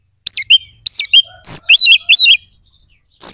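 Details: Oriental magpie-robin in rapid song, meant to rouse aggression and breeding drive in other magpie-robins: repeated sharp downward-swooping whistles and a tumbling run of quick chirping notes, loud and close.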